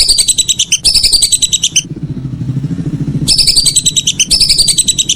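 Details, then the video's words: Evening whistling duck calls: quick runs of high, piercing whistles before and after a short break. A low engine rumble is audible during the pause. "Suara burung belibis sore hari"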